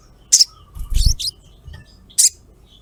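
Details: Female ruby-throated myzornis calling a male, used as a lure. High, sharp chirps, one followed by a quick pair, are mixed with a low muffled thump; a last single 'cret' closes.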